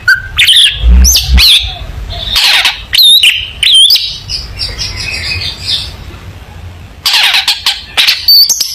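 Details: Long-tailed shrike singing hard in a tutor recording for young shrikes: harsh squawks and looping high whistles, then a quieter stretch of soft chatter before loud buzzy bursts resume.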